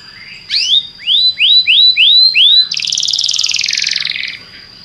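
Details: Belgian canary delivers a run of five rising whistled notes, each clearly separated, then a dense buzzy rolling trill lasting over a second.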